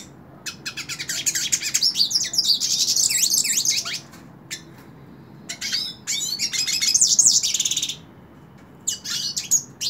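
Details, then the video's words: Long stretches of rich, fast twittering song from a hooded siskin perched in a hand, with two loud buzzy phrases separated by a pause and scattered chips at the end. "Cabecita Negra Canta En La Mano / Pintassilgo Cante Na Mão"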